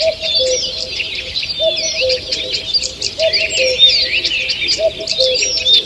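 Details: Morning forest on 2 June 2023, full of birdsong: twittering, rising and falling high notes and short trills, plus a regular low coo returning roughly every one and a half seconds.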